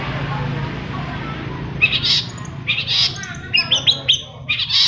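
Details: Long-tailed shrike singing to prompt reluctant shrikes to join in; after nearly two seconds of low hum, bursts of sharp high chirps and rapid twittering notes arrive in clusters, unevenly spaced.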